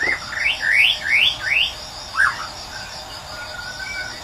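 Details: White-rumped shama from Medan singing in the wild in the morning, used as a lure for silent birds. Four loud rising slurred whistles come in even succession, followed by one softer note and faint thin whistles, all over steady insect trilling.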